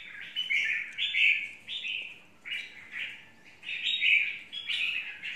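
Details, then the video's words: An untrained wild-type red-whiskered bulbul gives a run of rich, chattering warbled phrases, six or seven in close succession, each a quick bright burst with little pause. "Chào mào mộc"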